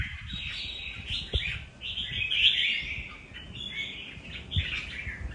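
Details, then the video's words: Red-whiskered bulbul singing a nước Hậu style phrase, a continuous chattering, liquid warble that swells and fades, with a few soft taps in the background. "Cùng xem Nết của 1 CB Cọp với nước Hậu chơi cực đẹp mắt"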